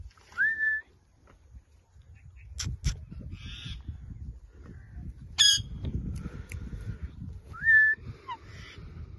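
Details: Indian ringneck parrot calling: short shrill whistled notes, some rising then held, spaced a few seconds apart, with clicks and low background rumble.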